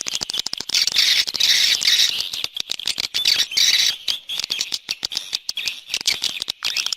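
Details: Swiftlet external sound: a continuous, buzzy high chatter with fast clicking bursts, loud in the middle and then trailing into scattered twitters.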